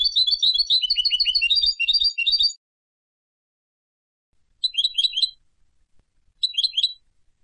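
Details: Singing Turkish goldfinch recorded in Istanbul: a busy two-and-a-half-second jumble of twittering, slurred high notes, followed after silence by two short bursts of chirps, with faint low thumps beneath.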